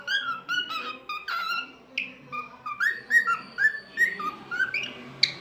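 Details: Pet cockatiel singing: a continuous warbling whistled song of clear tonal notes, rising and falling in short phrases, with a few slurred upsweeps and a brief squeak at the end.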